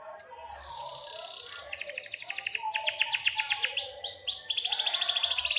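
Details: Canary singing a long, rolling song: high rising notes lead into buzzy trills, then series of rapid descending slurred notes and fast high rolls, with faint low background rumble.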